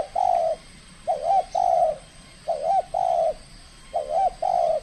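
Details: Contest-trained spotted dove from Kepri, behaving aggressively in its first match, giving three low hooting coo phrases about a second and a half apart, each a wavering double note followed by a longer steady one.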